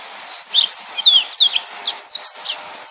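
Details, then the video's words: Dense, non-stop 'nembak' song of a yellow-fronted canary, a fast stream of high, thin whistled sweeps and downslurred notes packed closely together with only brief gaps. "Burung Mozambik Gacor||Suara Nembak Full Rapet"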